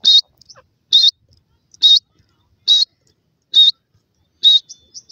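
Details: Black francolin chicks, called teetar ke bacche locally: six sharp high chirps evenly spaced about once a second, clean and loud against near silence.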